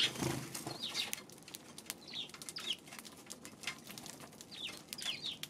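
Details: Eurasian tree sparrows recorded on 2 March, giving short downward-sliding chirps at intervals, with clicks and a brief low thump at the start over a noisy background.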